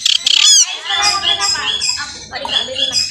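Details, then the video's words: Pastol long-tailed shrike singing to rouse other shrikes; a fast harsh chatter and a swooping whistle open, followed by mixed warbled, harmonic phrases with a low rumble underneath. "Cendet Pastol gacor ini bisa membuat cendet lain emosi birahi dan gacor seketika"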